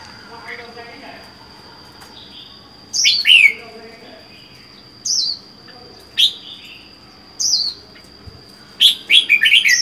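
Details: Red-whiskered bulbul kept on its own in a cage, caught wild four months ago: bright falling whistles and chirpy phrases at intervals of one to two seconds, ending in a quick burst, with a steady high whine.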